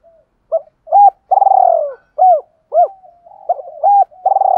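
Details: Spotted dove used as a decoy, calling wild birds in the morning with a voice meant to make them answer quickly. Low arched coos come in a loose series, broken by one long vibrating, gently falling coo. Background quiet.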